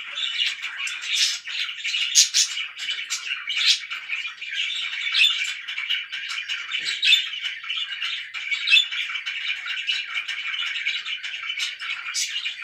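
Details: Budgerigars kept as pets chatter nonstop, an unbroken, busy mix of rasping warbles, chirps and sharp ticking notes holding steady in volume.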